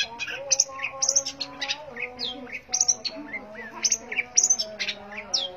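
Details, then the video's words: Long-tailed shrike in vigorous song: a varied jumble of high chirps, harsh scratchy bursts and brief slurred whistles delivered in quick irregular clusters, with a soft steady hum underneath. "cendet gacor manteb banget"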